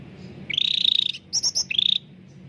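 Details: Clear cucak ranting (bulbul) song meant to coax reluctant birds into singing: a rising buzzy trill, then three high pulsed notes, then another short rising buzzy trill, with soft background hum.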